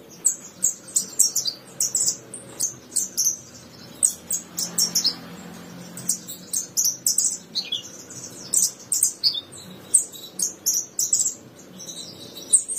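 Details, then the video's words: Javan bushlark tutor song from 2022: a long, busy stream of very high chips, slurred whistles and trills, repeated in quick clusters almost without pause, over a soft low murmur in the middle. "Kumpulan masteran burung branjangan terbaru tahun 2022, dijamin branjangan anda akan gacor"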